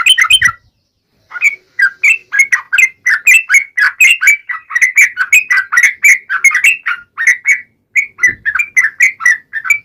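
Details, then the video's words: Energetic yellow-vented bulbul song in the sharp 'ngalas' manner, played to trigger birds to answer: a short opening phrase, a pause, then a long continuous stream of bubbly warbled notes, with a couple of soft low thumps. "KICAU SUARA trucukan gacor NGALAS TAJAM"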